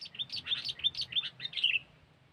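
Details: Sooty-headed bulbul, called kutilang, in a luring recording: a fast run of liquid, chirping whistles rising and falling for two seconds before fading into quiet.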